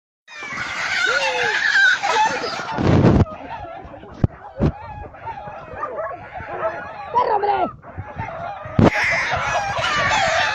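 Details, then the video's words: Hen protecting her chicks from a hawk; a dense mix of harsh, rising and falling calls and clucks with loud bursts and thumps, bright chick-like peeping at start and end. "chicken protects baby's from falcon hawk, Gallina protégé a sus bebes de gavilan halcon"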